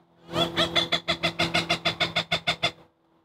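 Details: Agitated wild Cooper's hawk scolding while harassing a preening long-eared owl in Chicago in November: a fast series of about thirteen harsh, even cackling notes over two and a half seconds, steady in pitch, then stopping.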